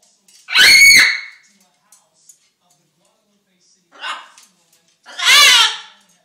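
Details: Indoor pet macaw, hungry and wanting attention, lets out a loud strained squawk-like word, a softer short utterance, then another loud harsh drawn-out call, with silence between.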